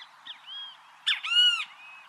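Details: Great kiskadee in natural surroundings: soft thin whistles first, then a clipped harsh note and a long, strained, arching note full of overtones, ending in quiet whistling.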